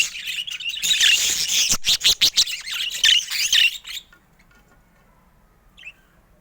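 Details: Colourful pet budgies chatter loudly in rapid chirps and clicking squawks for about four seconds, then fall almost silent apart from one faint high chirp.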